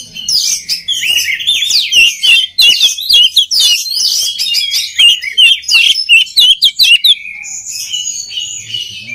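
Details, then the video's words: Oriental magpie-robin song for training other magpie-robins, a busy run of shrill whistles, slurred notes and scratchy chips, delivered fast before easing into softer, sustained high tones near the end. "SUARA KACER PALING DI CARI UNTUK MELATIH MENTAL KACER LAIN AGAR CEPAT GACOR"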